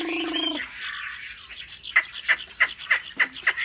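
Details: Chinese hwamei in competitive song, trained at home: a low harmonic burst, then rapid whistled warbling broken by steep downward-sliding notes repeated about three times a second.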